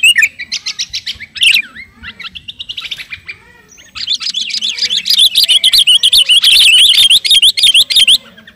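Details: Sooty-headed bulbul ('kutilang garuda') calling out to a rival: a short chirped series and a squawk, a quieter pause, then a long, fast, even trill of bright repeated chirps lasting several seconds.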